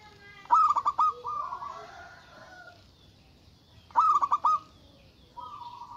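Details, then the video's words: Local zebra dove calling loudly to provoke rivals, in an agitated mood: two bursts of quick staccato cooing notes roughly three and a half seconds apart, each followed by a softer drawn-out level coo. "Suara Burung Perkutut Lokal Gacor Suara Besar Ampuh Memanggil Lawan Bunyi Emosi"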